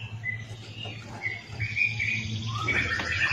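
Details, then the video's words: An orange-spotted bulbul (cucak jenggot) sings lively, chattering phrases of bright, mid-high chirps and short warbles over a steady low electrical hum. The song is offered as master song for training other songbirds such as magpie-robins. "CUCAK JENGGOT GACOR"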